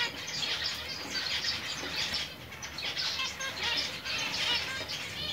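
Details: Five-month-old split zebra finches chatter in a dense stream of high, nasal, buzzy notes and quick chirps.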